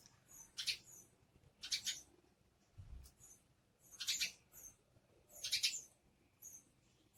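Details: Sparrows searching for food give bursts of high, rapid chirping, four clusters over about seven seconds, with a soft low thump between them.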